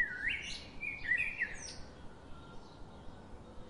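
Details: Bird feeding its chicks: a burst of thin, high, squeaky chirps and short rising whistles in the first second and a half, then fading into soft outdoor background noise.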